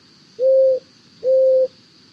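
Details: Mourning Dove, a Contra Costa County backyard bird, gives its mournful, slow woo-woo call, often mistaken for an owl: two soft, level coos, each about half a second long and under a second apart, with a faint steady high whine behind.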